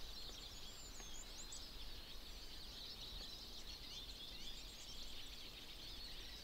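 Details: Flock of Eurasian siskins in spring forest, Berezinsky Biosphere Reserve, Belarus, twittering in a steady high chorus of thin chirps and wheezy trills over a low background rumble.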